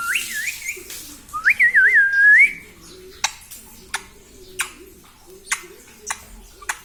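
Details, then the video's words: Talking pet parrot, said to say mummy papa, gives a wavering whistled phrase that rises and dips twice, then a string of sharp clicks and taps over soft low murmuring. "मम्मी-पापा बोलता तोता || मिट्ठू बडा प्यारा || parrot talking mummy papa"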